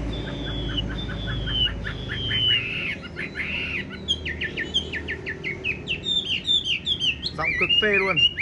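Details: Tame caged Chinese hwamei with yellow bill and legs pours out a varied warbling song, with long slurred whistles, quick rolling notes and sharp downward strokes, growing busier toward the end amid a low background hum.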